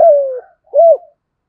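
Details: Lure spotted dove in 'giọng thokenized' style giving the tail of its phrase: a long falling coo followed, after a brief pause, by one arched coo.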